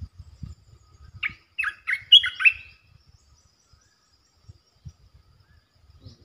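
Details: Territory-holding red-eyed bulbul in the calling style: a run of five or six rapid, bright warbled notes over about a second and a half, then low rumbling background.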